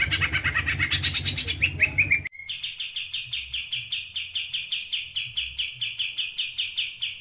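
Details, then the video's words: White-rumped shama singing a combination of top phrases: a descending slurred sweep, then a long fast series of sharp high rattling notes, about three per second, with low hum beneath. "7 Tembakan Kombinasi Top Murai Batu"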